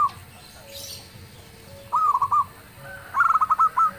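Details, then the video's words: Zebra dove, a local bird, singing loudly so that others answer. After a quiet stretch come one soft cooing phrase and then a higher phrase of staccato notes ending in a longer coo. "suara perkutut lokal gacor_dentuman suaranya bikin yg lain nyaut"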